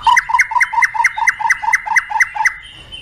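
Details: White-rumped shama fill-in phrase: a two-note motif, a low note then a higher one, repeated about ten times at an even pace before trailing off into a faint thin whistle.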